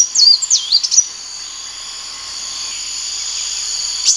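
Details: Sunbird giving a quick burst of high, swooping, twittering notes in the first second, then only a constant shrill insect-like hum with one faint note at the end.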